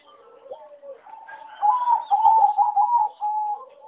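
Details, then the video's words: A farm-bred singing Zebra Dove, a line bred for song competitions and judged a poor singer with bad melody, gives a soft, rolling series of low staccato coos, bubbling and slightly uneven, over about three seconds in a quiet setting. "A lot of Zebra dove from many farms are not so good singing and worst melody"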